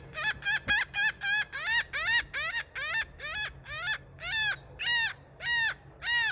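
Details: Seagull calling loudly to announce he is king: a rapid run of about fourteen harsh, arched, nasal calls, uneven in spacing, rising then falling in each note, with a low steady hum beneath.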